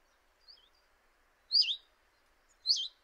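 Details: A common chiffchaff at a kitchen window in Eibar, early March 2018, utters two loud, slurred, dipping high calls a little over a second apart. Softer faint notes come before them, over a low background murmur.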